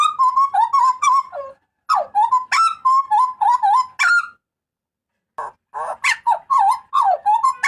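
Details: Loud, clear cries of a Papuan butcherbird, a master recording for cage birds: quick strings of rich, slightly nasal notes rising and falling, two bursts separated by silence, closing with fast repeated yelps.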